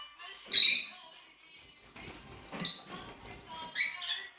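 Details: Rosy-faced lovebird making piercing, grating shrieks, one long burst followed later by two shorter sharp calls, over a faint low hum and quiet indoor background.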